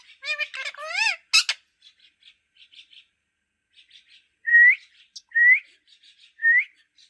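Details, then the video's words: A green parrot begins with a few quick speech-like syllables and clicks. Soft chatter follows, then three loud rising whistles about a second apart. "Talking parrot"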